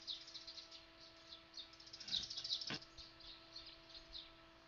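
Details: Small but loud birds tweeting in a dense chorus of quick, high chirps repeated rapidly, peaking in a louder flurry midway, with a faint steady hum and a click.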